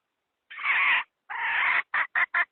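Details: A hen's call for luring wild chickens into traps opens with two drawn-out, harsh notes of about half a second each. A quickening run of short clucks follows.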